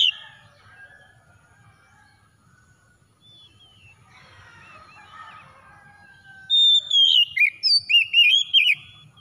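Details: Oriental magpie-robin song used to coax a silent magpie-robin to sing: a faint, busy stretch of low chatter first, then a loud run of bright, looping whistled notes near the end.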